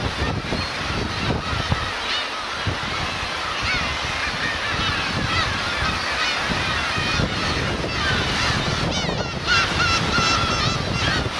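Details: Black-tailed gulls, parents with chicks, on Teuri Island's Kurosaki coast, Hokkaido, 13 June 2021: loud, repeated, arching nasal mews with strong overtones, several birds calling about three times a second, over background surf.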